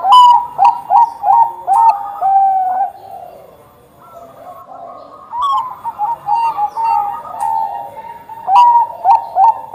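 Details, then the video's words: Bangkok zebra dove singing loudly to draw caged doves into song: quick runs of short warbled coos with sharp clicks between them, a quiet pause partway, then another burst of rapid repeated cooing phrases. "perkutut bangkok gacor - buat pancingan perkutut bangkok agar cepat bunyi"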